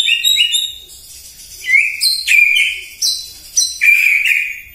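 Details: Morning White-rumped shama song meant to provoke rivals: a continuous, varied string of loud whistles, quick slurred notes and drawn-out tones.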